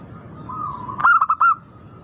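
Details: Lure recording of a local zebra dove meant to get birds singing quickly: a faint drawn coo, then one clear burst of four rapid rolling coos at a steady pitch.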